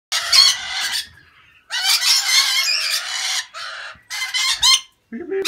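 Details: Inside an aviary, several lorikeets give harsh, screechy calls in loud, overlapping rasping bursts of about a second each.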